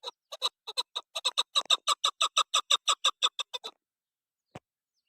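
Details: Female chukar partridge calling in a rapid, rhythmic run of harsh clucking notes, nearly three per second, stopping abruptly, followed by silence and a single faint click.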